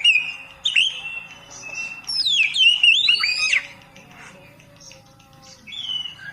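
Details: Oriental magpie-robin (kacer) singing for a masteran meant for beginners: a steady whistle, then a burst of steep up-and-down sweeping notes, fading to softer distant whistles.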